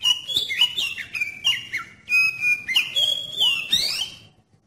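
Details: Oriental magpie-robin singing as a lure to trigger other magpie-robins: a quick series of short, downslurred whistles, then a longer steady note and a sweeping, rising flourish.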